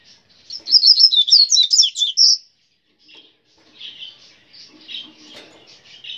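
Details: Double-collared seedeater, brown plumage, singing grego style: a rapid, loud, high warbled phrase of twittering notes lasting under two seconds, followed by quieter scattered chirps and faint low background sounds.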